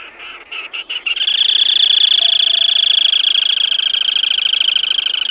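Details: Black-tailed crake calling: after a few short, broken notes, a sustained, rapid, evenly pulsed high trill with a buzzy, rattling quality, steady in pitch and running without pause to the end.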